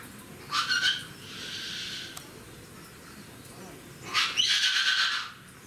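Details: Sun parakeets, a male and a female, at Rakujuen park in Mishima, Shizuoka, Japan, recorded 24 November 2018; two harsh, screechy bursts about three seconds apart, the second longer and louder, with a faint raspy murmur between.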